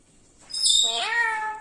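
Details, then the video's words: Parrot speaking in a kitchen: a high thin whistle slides down into a rising, then level, harmonic voice-like note. "parrot talking കിച്ചണിൽ വന്നിരിന്നു സംസാരിക്കണത് കേൾക്കു ഞെട്ടും"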